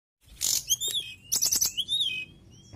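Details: Mountain tailorbird singing vigorously: high, thin whistled notes, some sliding down and some held, broken by sharp clicking bursts, in two phrases about a second apart.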